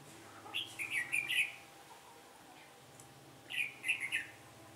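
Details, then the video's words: Red-whiskered bulbul decoy singing to lure wild birds into a trap in Vietnam on a windy day: two short bursts of bright warbled phrases, well apart, over steady low rumbling background noise. "Bẫy chào mào ngày trở gió"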